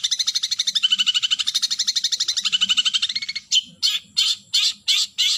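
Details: Long-tailed shrike (cendet) calling to a rival: a fast, even rattling chatter of dense buzzy pulses for three seconds, then slower harsh scratchy bursts spaced about half a second apart.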